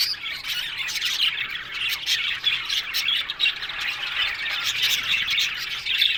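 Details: Many Australian budgerigars in a colony aviary squawk and warble at once, a thick bed of harsh chirrups and rapid twittering with louder squawks bursting out every second or so.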